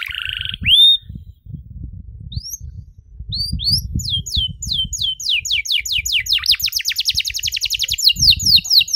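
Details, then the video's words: Ornate canary song used to teach young canaries: a few scattered chirps and upslurred notes, then an accelerating series of descending whistled notes that quickens into a rapid high rattle, over low background rumble. "KENARI GACOR DORR NEMBAK PANJANG, CENGKOK MEWAH COCOK BUAT KENARI MUDA BELAJAR BUNYI"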